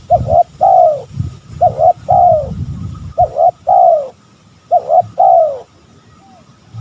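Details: Spotted dove phrases repeated four times for luring rival males: each a quick double note followed by a longer bowed, falling coo, evenly spaced over low rumbling noise.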